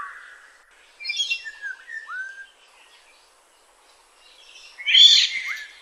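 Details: A Black-naped Oriole in Tainan, Taiwan, on 21 June 2017 gives short, fluty whistles that slur downward, mixed with harsh, scratchy notes, then a loud, rasping burst after a pause.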